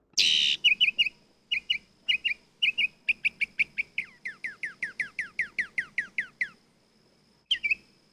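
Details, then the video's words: A bird's chirping played for a listening exercise: a loud opening note, then paired bright chirps, then a fast run of about a dozen sharp descending notes, and a final chirp after a short pause. "you heard a bird"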